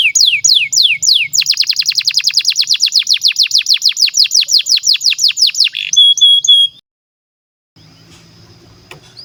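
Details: Canary song played to train young birds and silent canaries: several downslurred whistles open into a long fast rattle of descending notes, then a short ringing whistled phrase and a pause.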